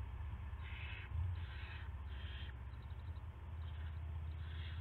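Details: Owl at the nest around 5:20 AM on March 9, 2016, as a rat arrives: three breathy hisses close together, then a pause with faint ticks and a softer final hiss, over low hum.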